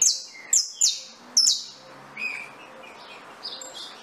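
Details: Saffron finch singing: four loud, sharp high notes, each sweeping downward, spaced about half a second apart, followed by softer, scattered chirps over a faint background hiss.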